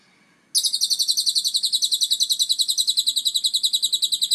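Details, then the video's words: High, rasping lovebird trill in ngekek style with a cililin-style fill-in, beginning abruptly after a short quiet moment and pouring out as a fast, regular string of buzzy notes for nearly four seconds. "Burung Lovebird ngekek rasa cililin mantab abis"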